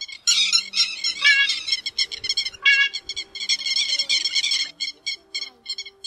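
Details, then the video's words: Pacific golden plover calls used as a night net-trapping lure during the August 2024 migration season: bright, high whistled notes in quick overlapping bursts, almost without pause, over a faint low steady hum. "Tiếng Te Te Vàng"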